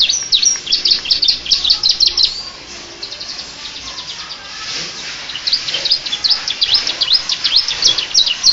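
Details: Canary with ciblek-flavoured song modelled on the Bar-winged prinia: busy, high scratchy twittering in bursts, fading for a couple of seconds mid-phrase before resuming.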